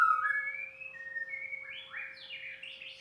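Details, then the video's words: White-rumped shama song: long level whistles that step upward, then a burst of rapid, rising, buzzy notes, over a faint constant hum. "proses bunyi harus sabar,telaten.tanpa di edit langsung upload aja #murai #muraibatu"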